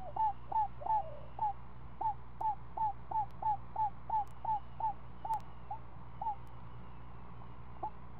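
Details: Owlet of a screech owl, seven days old, at the nest during feeding, repeating short hooked chirps at about three per second, slowing and thinning toward the end, with a few faint clicks and a low hum.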